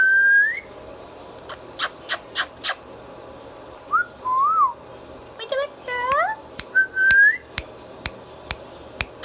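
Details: Pet Indian ringneck parrot, a talking bird, giving short clear whistled notes, some rising, others rising then falling, spaced among sharp dry clicks and taps.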